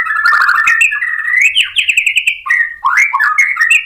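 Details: White-rumped shama provoked into singing continuously, showing off its repertoire of learned phrases: loud, rich, continuous whistled warbling with sliding notes and sharp clicks, shifting pitch from phrase to phrase.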